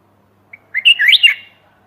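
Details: Bulbul calling for a mate, recorded 28 May 2021: a single short phrase that opens with a faint pip, then runs into a quick, liquid, bubbling series of slurred whistles. The background is quiet.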